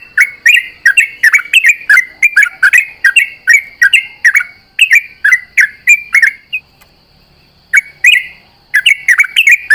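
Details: Sooty-headed bulbul singing at dawn, answering companions in a rapid continuous flow: quick chirpy notes at a bright mid pitch, several per second, a brief pause near seven seconds, then the bursts resume.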